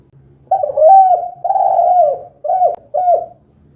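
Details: Spotted dove in 'kuk 2' style: two long wavering coos followed by two short clipped coos, each phrase separated by brief pauses, soft and mellow, over a faint low hum.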